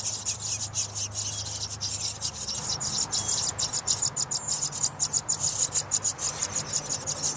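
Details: House wren nestlings at feeding time, watched through glass as parents feed them and remove droppings; loud, rapid high-pitched hissing chatter, pulsing several times a second in fast bursts over low background hum.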